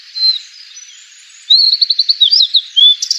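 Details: Sulingan or tledekan, a fork-tailed sunbird, sings in a natural recording used as a lure: a high thin note, then a rapid run of about eight sharp chips, then rising and falling whistled notes.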